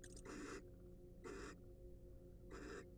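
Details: Three broad, wheezy hissing bursts from wild barn owls inside a monitored nest box, spaced about a second apart over a low steady hum.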